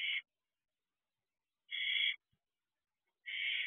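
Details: Wild barn owl owlet back at the nest box before dawn, 4:08 am on 6/1/23: three rasping, hissy screeches, each about half a second long, spaced around one and a half seconds apart in otherwise silent night.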